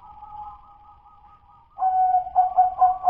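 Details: Zebra dove of local wild stock, its song still in the dudut-nutut stage: a faint steady trilled coo that suddenly breaks into loud, throaty rolling coos pulsing in quick bursts.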